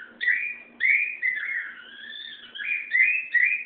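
A cockatiel sings a warbling run of clear whistles that slide up and down, with brief gaps between phrases, in a quiet room.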